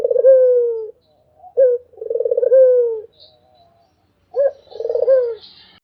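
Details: Barbary dove cooing in a quiet setting. A long rolling coo ends, then two more phrases follow after pauses. Each is a short hooked note plus a sustained throbbing coo that slowly descends.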